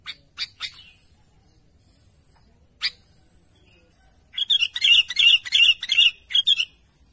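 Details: Sooty-headed bulbul calling to its companions: a few sharp high chirps early, then a rapid burst of bubbly, warbled notes in a dense chattering run near the end.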